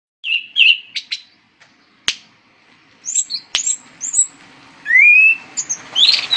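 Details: Anis cendana, a thrush kept as a songbird, singing a varied string of short whistled notes, high chirps and a rising whistle, with sharp clicks in between.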